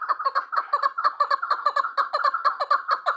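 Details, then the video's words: Chukar partridge, described as a female, calling: rapid chuckling notes repeated about twice a second in a steady stream, with harsh clucking syllables and clean, quiet surroundings. "Sound of partridges birds chakor keklik کبک الحجل zark چکور"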